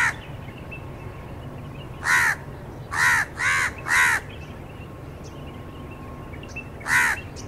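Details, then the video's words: House crow cawing in an irregular series: one caw, a tight run of three harsh notes, then one more after a pause, with a low rumbling hum beneath. "House Crow (Corvus splendens) Sounds"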